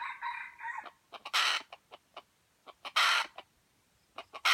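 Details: Junglefowl from Aceh, an F1 bird with white legs, giving a harmonic crow-like call at the start, followed by loud, short, noisy bursts repeated about every one and a half seconds with scattered clicks between them.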